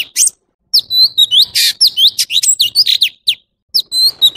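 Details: Male orange-bellied leafbird song: sharp high chips, a short gap, then a lively run of slurred whistles and buzzy rasps before a pause and renewed notes.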